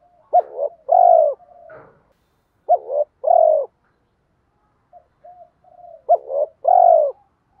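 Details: Spotted dove giving 'kích bổi' coos to stir rival doves: three phrases of a short broken coo and then a sustained mellow coo, with faint murmurs and a brief click between them.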